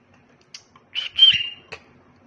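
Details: A tame cockatiel gives one harsh, scratchy call of about half a second that ends in a brief high whistle, with a few soft clicks around it.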